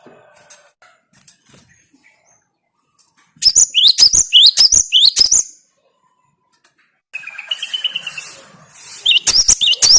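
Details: Gelatik batu, the Cinereous tit, in a lure recording for kept birds: a two-second run of bright, hooked, whistled notes, silence, then a hissing noisy passage with a faint steady tone and more whistles at the end.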